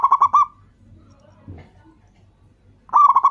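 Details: The tail of one bubbly coo phrase and the start of the next come from a local zebra dove, a lure bird used to make other doves call. Both are bursts of rapid, even, rolling notes, separated by near silence.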